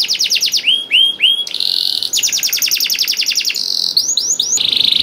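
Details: Canary in full song, used to coax quiet canaries into singing: quick runs of high trilled notes alternating with drawn-out steady whistles and a few looping slurred syllables.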